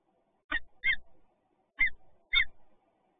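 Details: Peregrine falcon meeting in Toruń, 28 February 2022: four sharp chevron-shaped calls in two pairs, about a second apart, each a brief grating note with a short tail and low thudding underneath.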